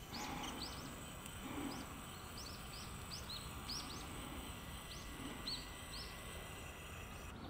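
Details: Warbling white-eye calling in Aoba-no-Mori Park on 25 December 2013: thin, high chirps in short arched notes, given irregularly about twice a second and sometimes in quick pairs, over a steady low background hum.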